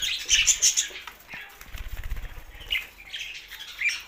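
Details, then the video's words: Budgerigars singing: high squeaky chirps and twittering warbles open the passage, then a run of soft wingbeat flutters, before more scratchy chatter returns near the end. "Budgies Sounds for Lonely Happy singing"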